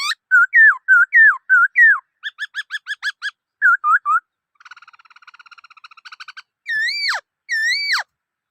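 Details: Black-throated laughingthrush in varied song: repeated wavy whistles, a quick series of short clipped notes, a rapid chattering trill, then two loud whistles that swoop sharply downward.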